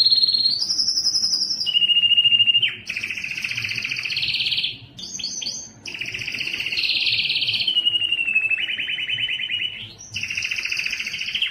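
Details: A male canary sings in a canary room, with continuous rolling trills that alternate between shrill high tours and lower, fuller rolls, separated by a few short breaks, while a faint low hum sits underneath.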